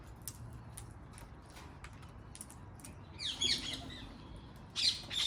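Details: Wild parrots in a garden: after quiet background hiss, two bursts of harsh, raspy squawks, the first around the middle and a louder rough burst at the very end.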